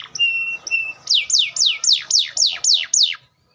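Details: Atlantic canary in song: two steady high whistled notes, then eight loud downslurred whistles repeated evenly about four per second, ending abruptly in silence.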